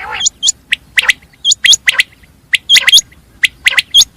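Common quail giving sharp, high, liquid notes in quick groups of two or three, the groups repeated at an uneven pace against a quiet background.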